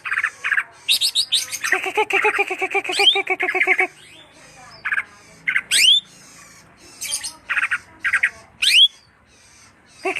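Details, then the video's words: Greater green leafbird: a dense stretch of rapid harmonic chatter, followed by scattered sharp upward-sweeping whistles and short buzzy notes spaced over several seconds. "burung cucak hijau"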